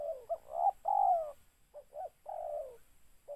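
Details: Spotted dove used as a trapping lure: two quick notes and a long falling coo, then a second phrase of two short notes and a drawn-out coo, with a faint steady hiss.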